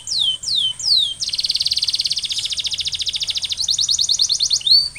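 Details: Canary song meant to trigger other canaries to sing: falling whistled slurs, then a long fast buzzy trill of rapid repeated notes, a quicker bright trill and a closing downslurred whistle, all high-pitched.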